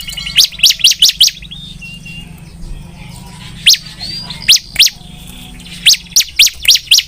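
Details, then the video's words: Bar-winged prinia giving short clusters of sharp high chip notes separated by pauses of about two seconds, over a low background hum. "burung ciblek gacor"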